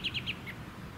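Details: American robin in suburban Ludington, Michigan, USA, in June 2019. Three quick, sharp high chirps come in a fast row, followed by a softer fourth note, over low wind and suburban rumble.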